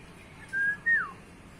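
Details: A pet cockatiel kept as a talking parrot whistles two quiet clear notes, the first level, the second starting higher then sliding down, in a small quiet indoor room.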